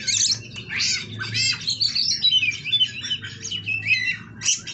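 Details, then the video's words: Oriental magpie-robin (kacer) at a captive breeding farm in Kroya, singing a rich, continuous stream of varied whistles, warbles and buzzy trills, rapidly changing pitch throughout, with a steady low hum beneath. "Kacer Kawat Berduri"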